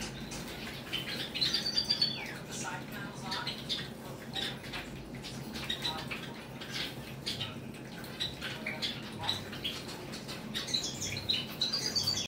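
Zebra finches chatter with quick, nasal, toy-trumpet calls and soft ticking notes, several birds overlapping in a small indoor space.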